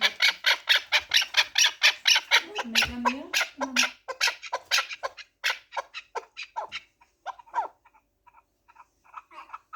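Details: Harsh, rapid chuk notes from a four-year-old Pamir chukar partridge, a fighting and hunting bird, run steadily then slow and fade into sparse, softer clucks; a short low human voice is heard early.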